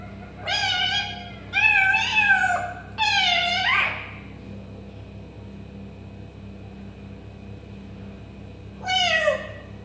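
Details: Three loud mewing calls in a row from an African grey parrot copying a cat, the last sliding downward into a rough tail, then a pause and one more falling meow.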